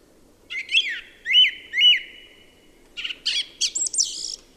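Song thrush singing a bright, slurred whistle phrase three times in quick succession, then switching to a varied, higher run of sharp notes, over a faint low murmur.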